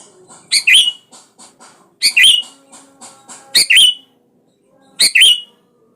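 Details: Sooty-headed bulbul calling to draw out a rival and make it sing; loud harsh paired notes roughly every one and a half seconds, each with a bright twisting top, over faint soft chattering.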